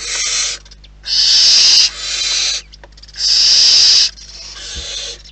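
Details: At a barn owl nest in the wild, loud, bright hisses of nearly a second alternate with quieter rough breathing sounds, roughly every two seconds, with a single soft knock near the end.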